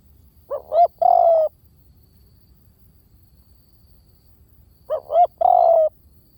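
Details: Spotted dove decoy call, clear and close: two quick hoots rising in pitch precede a longer, gently dropping coo; the identical phrase returns about four seconds later.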